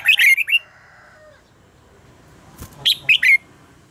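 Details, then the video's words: Red-whiskered bulbul contest song meant to get birds singing: a quick rolling four-note run trailing into a fading echo-like tone, then after a pause a short three-note phrase ending in a whistle. "luyện giọng cho chào mào hót hay - căng lửa, chào mào hót quá phê"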